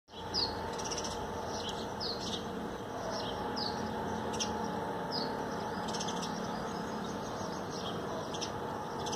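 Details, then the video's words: Common Tailorbird in a garden on 13 April 2020, just after the plants were watered, bathing on the wet trees. Short, high, downslurred chirps repeat irregularly over a steady background hum. "Tailor Bird song and bath"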